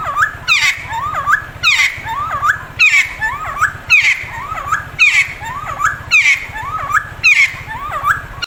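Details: Cucak timor friarbird, also called timtim or cikukua, calling loudly by day and night. Its phrase of looping whistled notes ending in a shrill high note repeats regularly about every 1.1 seconds over a continuous low droning hum.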